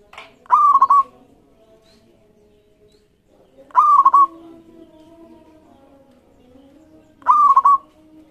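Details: Energetic local zebra dove repeating its cooing song three times, roughly every three and a half seconds, each phrase opening with a rising note and ending in quick bubbling stutters; a soft continuous hum behind, played to lure other doves into song.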